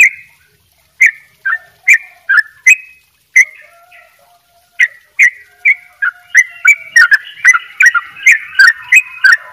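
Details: Bali sooty-headed bulbul in the double ropel style. Short, mellow whistled phrases come in quick bursts, and toward the end they speed into a fast rolling run of chirps.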